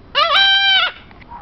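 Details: Goffin's cockatoo (Tanimbar corella) at an animal resort gives one drawn-out, nasal squawk under a second long, rising briefly, holding steady, then dropping off, followed by faint background noise.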